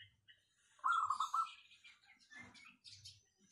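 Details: Zebra dove of local stock with a clear, packed voice, used as a lure. One quick run of five or six rounded, repeated coo notes, followed by faint chirps and scratchy sounds of other birds.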